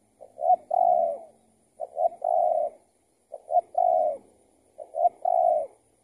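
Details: Escaped tethered spotted dove answering a trapper's decoy; four clear phrases of low hooting coos, each a quick double note followed by a longer drawn-out coo, spaced about every one and a half seconds.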